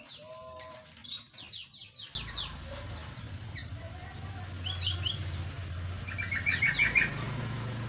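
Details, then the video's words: Small aviary birds chirping together: many quick, high, downslurred tweets overlap, with a short low whistled phrase near the start and a steady low hum underneath later on. "Relaksasi Suara Burung Asli - Jenis Burung Aviary Kecil"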